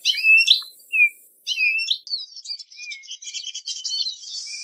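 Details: Eurasian siskin song opening with clear whistled, slurred notes and a few separate chirps, then breaking into a fast, buzzy twittering run of tight repeated elements.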